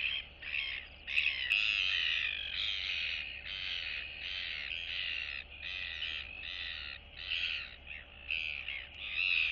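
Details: Two or more young royal albatrosses in their colony greet one another on 9 September 2022. A near-continuous run of loud, harsh, nasal chattering calls, broken into short bursts about every half second to second.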